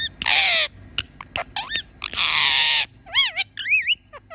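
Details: Talking pet parrot alternating two long, harsh, hoarse squawks with sharp clicks, then several rapid, wavy, up-and-down whistled notes.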